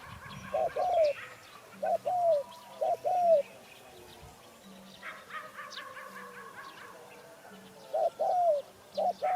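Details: Spotted dove cooing in short bursts of two to four arched, hollow notes separated by pauses, alongside scattered higher chirps from other birds and a faint intermittent low hum.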